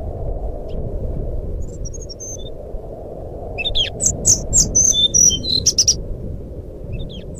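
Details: Jungle flycatcher singing in fluting (nyuling) style as a lure for a silent bird: soft high notes at first, then a loud run of about ten clear whistles falling in steps, with constant low rumble beneath.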